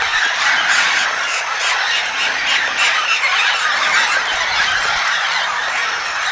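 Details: A flock of red-tailed amazons, the last birds arriving to the group, at Rio Castro, Itanhaém, São Paulo, Brazil, in 2017, squawk together in a dense, overlapping chorus of harsh, raucous calls, several each second, with no quiet gaps.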